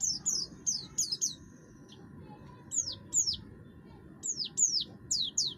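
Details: Buxtoni oriental white-eye, harsh-voiced singer used to provoke song in other birds. Clusters of high, steeply falling chirps and one long thin whistle, then spaced pairs of notes after a short gap.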